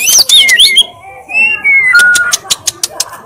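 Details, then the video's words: White-rumped shama singing with loud 'tembakan' fill: quick high whistles sliding downward, drawn-out lower whistled notes, then a regular run of short sharp clicks. "MURAI BATU GACOR FULL ISIAN TEMBAKAN KENCANG, KICAUAN YANG SANGAT MENGGAIRAH KAN MURAI BATU ISTIMEWA"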